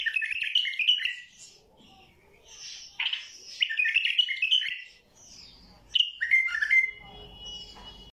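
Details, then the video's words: ['Heavy-voiced white-eared bulbul singing fast bursts of liquid, bubbling whistles at a high pitch, several phrases with short gaps, ending in a clear falling whistled note.'] "ثكيل الشايب حنجره"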